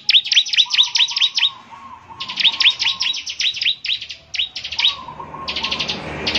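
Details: Bar-winged prinia delivering rapid bursts of high chirps to make other prinias answer, with a steady lower whistled tone running beneath parts of the phrases.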